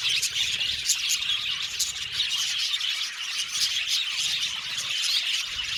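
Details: An aviary colony of Australian budgies keeps up a steady high chatter, overlapping chirps, trills and brief squeaks forming an unbroken wall of twittering.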